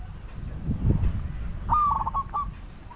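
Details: During decoy luring of wild doves, a spotted dove delivers one phrase of coos, a clear first note trailed by several clipped repeated notes, with a muffled thump and low background noise before it.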